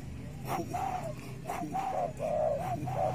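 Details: A tame spotted dove, one of a pair that roosts in a mango tree behind the house and is sometimes released, giving soft, hollow, low coos in quick succession over a low rumbling hum.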